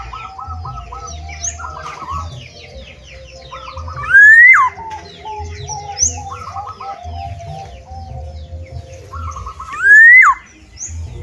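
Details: Outside its cage, a black-naped oriole gives two loud, rising whistles that break off with a quick drop, about six seconds apart. Short, stuttering phrases from other birds and a steady low hum fill the gaps.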